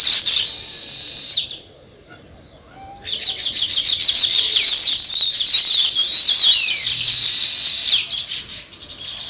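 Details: Busy high chirping from many sparrows, described as weaver birds, breaks off into a near-silent gap, then resumes strongly with overlapping tweets and sliding whistles before fading and returning briefly at the end.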